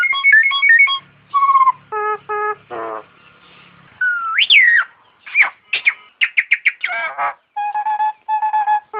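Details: Nias hill myna song from a masteran training recording: a varied string of clear whistles, stacked nasal notes, a harsh buzzy burst, a sharp rising-falling whistle and quick clipped chips, with brief pauses between phrases.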